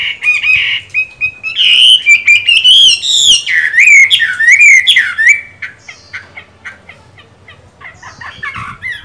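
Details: A Chinese hwamei in moult, with green-bean eyes, pours out a loud, varied song of looping, slurred whistles and trills, then softens into a run of quick, scattered chips and short phrases.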